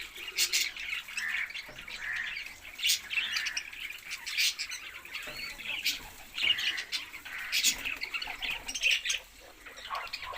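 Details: Group of budgies giving busy twittering warbles and frequent sharp clicks and chirps, the chatter rising and falling in loudness.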